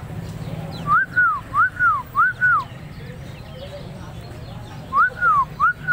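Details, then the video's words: Tame Helmeted Friarbird from Sumbawa singing busily: loud, arched whistled notes that rise then fall, four in a quick series, a pause, then three more, over a low background hum. "Burung Koak Kaok Sumbawak yg jinak dan gacor"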